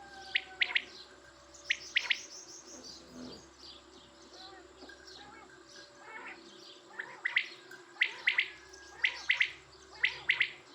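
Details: Quail calling, a flock of sharp, high chirps given in quick doubled bursts, loud at first, quieter in the middle, then a regular run of paired notes near the end with a steady background hum.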